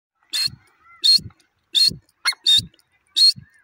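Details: Grey francolin female voice from Pakistan: loud, harsh, noisy call notes repeated about every 0.7 seconds, each a short bright burst with fainter low thuds between them.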